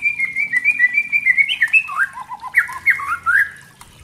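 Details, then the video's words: Spotted white-rumped shama singing to provoke other shamas: a held wavering whistle at one pitch, then lower looping whistled phrases and a burst of rich, twisting warbled notes. "Pancingan murai trotol agar ngeplong dan murai batu pastol agar BUNYI GACOR"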